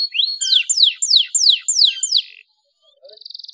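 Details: Canary lure song to stimulate a silent canary: six quick, high, falling whistled sweeps in a steady row, then a short pause before a faint buzzy trill resumes.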